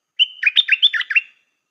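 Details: Stripe-throated bulbul decoy bird delivering one lively, continuous phrase of seven or eight bubbling, up-and-down whistled notes lasting just over a second, clear and close.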